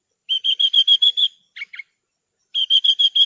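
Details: Horsfield's bush lark (branjangan) song used as a training recording for cage birds: a fast series of clear, slightly rising whistled notes, a brief pause with two lower buzzy notes, then the series resumes.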